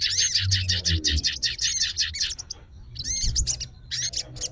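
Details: Agitated sooty-headed bulbul fighter challenging a rival: dense buzzy chatter with whistled upslurs, a short pause, then more scratchy bursts, over low rumbling noise.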